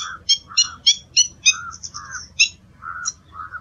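Black-winged Stilt giving sharp, yelping kek notes about three times a second, mixed with lower, softer nasal notes.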